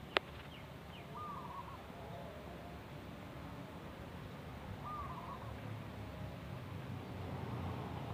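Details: A local wild zebra dove repeats its short burbling coo twice, about four seconds apart, each a fast stuttered string of mellow notes; a sharp click opens the recording amid steady low hum.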